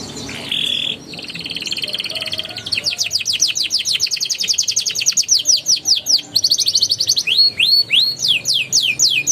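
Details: Prompting song for juvenile canaries that have gone quiet: opens with a buzzy note and soft trill, then extended rapid rolls of repeated downward sweeps, closing with looping whistled phrases.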